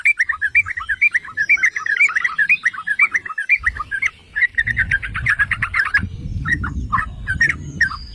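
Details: Yellow-vented bulbul, known locally as trucukan or merbah cerukcuk, singing to provoke other bulbuls: fast bubbling chattering notes around mid pitch in dense runs, a brief pause near the middle, low rumbling background noise.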